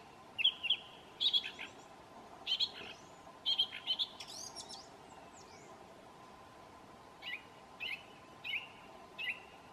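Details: Thrush singing in New Zealand, whistling its well-known tune: bright whistled notes repeated in short groups, louder at first, then softer spaced phrases about every half second, over a faint steady hum.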